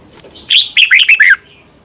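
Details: Red-whiskered bulbul, a Thai cage bird, giving one crisp phrase of five ringing whistled notes, each slightly lower than the last. The recording is played so birds copy the song or become excited.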